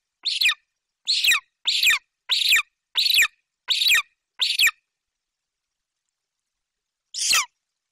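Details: ['Golden eagle fledgling branching in the nest tree in Bucovina, summer 2021, calling loudly while its mother brings a magpie: seven rasping, downward-slurred screams in quick succession, a pause of over two seconds, then one more scream.']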